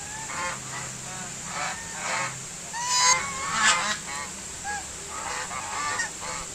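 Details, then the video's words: A flock of white domestic geese honking steadily, many short nasal calls with wavering pitch arriving roughly every second, some louder and overlapping, over a persistent hiss. "SUARA SOANG, ANGSA PUTIH - WHITE GOOSE NOISE SOUND"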